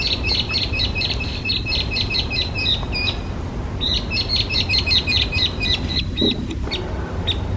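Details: Hwamei, classed as a specified invasive alien species in Japan, pours out two long runs of quick, evenly spaced sharp chirps, a short gap between them, with steady low background noise.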